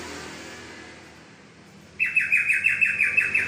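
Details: Bulbul song: after two seconds of quiet hiss, a rapid run of bright, sharply repeated chirps and trills, about three notes a second, with faint room noise.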